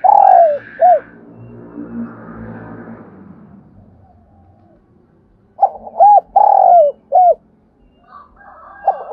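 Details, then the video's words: Spotted dove used as a decoy to stir other doves into singing: a soft note, two looped coos, a long falling drawn-out coo and a short final coo. The first phrase is followed by a rustling pause, then a second phrase and the start of a third. "Tiếng chim cu gáy kích bổi nhanh nổi, cu gáy mồi luyện bổi hót theo"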